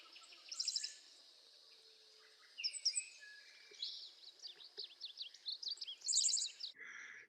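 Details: Five-striped Sparrow, a rare, secretive bird, in a canyon in southeastern Arizona, singing high, jumbled phrases of sharp chips, slurred notes and short buzzy trills, with a steady high hiss behind.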